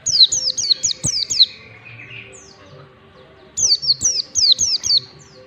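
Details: Mountain white-eye singing in the ngalas style, a song used to train birds: two bursts of five or six quick high whistled notes, each sliding steeply downward, with a softer buzzy trill between them.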